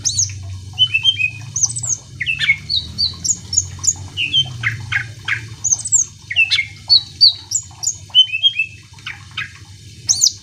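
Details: Continuous song of a greater green leafbird aimed at provoking other birds to sing: varied high whistles, trills and sharp chirps delivered in quick phrases with short gaps, over a faint low hum.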